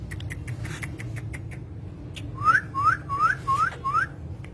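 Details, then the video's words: Talking green parrots: light clicking and ticks, then five evenly spaced rising whistles, each a quick upward sweep, repeated about every third of a second, over low background hum. "talking parrot"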